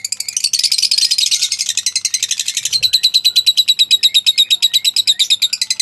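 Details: Pale fallow lovebirds, kept birds, singing: a loud, unbroken rapid stream of pulsed high chattering notes, about six per second, strongest at the start and steadily repeated throughout.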